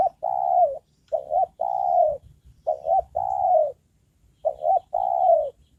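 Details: Trained decoy spotted dove used for luring wild doves, calling diligently: three phrases, each two short clipped coos then a long, slightly falling coo, repeated about every two seconds, with faint low rumble beneath.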